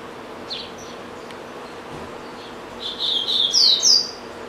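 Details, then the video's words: Caged double-collared seedeater at home that eats and then resumes singing; a couple of faint high notes, then a loud closing burst of rapid whistled sweeps and twitters. "Coleiro Bravo - Canta Muito"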